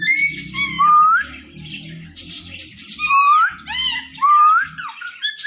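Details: Pet parrot known for talking, mixing clear rising whistles with chirps and scratchy squawks in an irregular chatter, with low background rumble and noise underneath.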